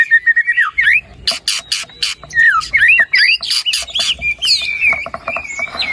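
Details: White-rumped shama song meant to stimulate a lazy, quiet bird to sing: rapid varied whistles, sliding and looping notes mixed with harsh buzzy bursts, delivered in quick succession.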